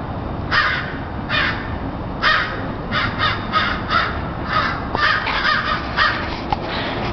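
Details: Crows, a few together in a tree and noisy, calling with rough, grating caws repeated roughly once a second, some overlapping in rapid clusters, against a constant low rumbling background.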